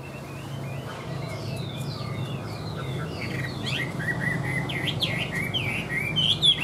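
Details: Caged Chinese hwamei song: soft whistles at first, then a livelier run of clear, up-and-down slurred notes and quick chirps, over a constant low background hum.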